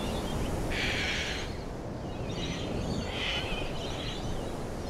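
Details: Laughing kookaburra letting out a strong harsh cackle, then several shorter, quieter chuckling bursts, with heavy low rumbling noise behind.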